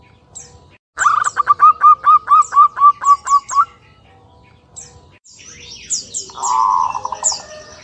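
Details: Zebra dove song: a quick run of about eleven clipped coo notes, followed by scattered chirps and squawks from other birds.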